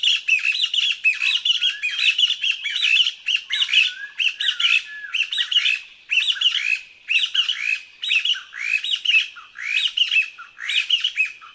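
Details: Taiwan Partridge, endemic to Taiwan's lowland and foothill forests, where it forages on the ground in pairs: a squeaky song of bursts of high chirping notes with bends and slides, repeated about once a second, no other sounds.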